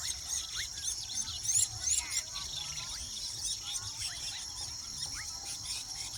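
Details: Weaver birds around their nests in the wild give a hissing, high-pitched chatter, with louder squealing bursts early on and scattered rising chirps afterward.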